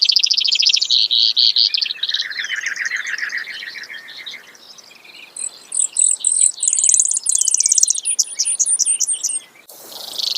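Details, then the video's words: Brewer's sparrow singing a series of trills at changing pitches: high rapid notes, then a lower buzzy trill, a brief quiet gap, then sharp high chips and trills, ending in a short burst of noise. "Brewers Sparrow Sound, Bird Call"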